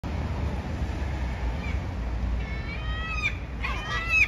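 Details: Seagulls squabbling over a meal: after a stretch of steady low rumble, several harsh, wavering gull cries break out in the last two seconds, overlapping one another above the background noise.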